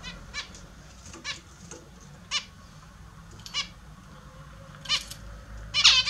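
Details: Captive zebra finches during their morning bath; short nasal beeps scattered every second or so, moderately loud, with a louder stacked call burst near the end and low indoor hum beneath.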